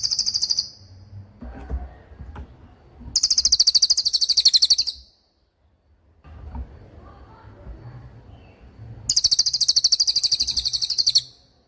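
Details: Songbird training recording of a cililin delivering 'tembakan' bursts for magpie robins and other songbirds to learn: three shrill, very high, rapid trills of regularly repeated notes, each up to two seconds, with quiet gaps and low rumble between.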